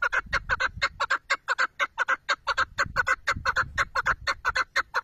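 Chukar partridge giving a fast run of harsh, clucking chuk notes, about four or five a second, steady and unbroken, with faint low rumble beneath.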